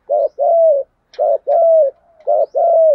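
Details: Spotted dove cooing in the local "thúc gù" style, used to stimulate and train young captive doves to coo. Three clean paired phrases: a short low burst, then a longer steady coo, repeated at roughly one-second intervals.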